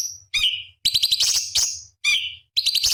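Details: Cucak cungkok bulbul master song for competition birds: clear whistled notes sliding downward, alternating with rapid buzzy, warbling chatter.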